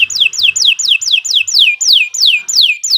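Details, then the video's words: Canary repeating a clear, loud descending whistle about three times a second, each note sliding down steeply and evenly, part of a long song used for training birds. "Kicau Burung Kenari II GACOR PANJANG Cocok untuk Masteran"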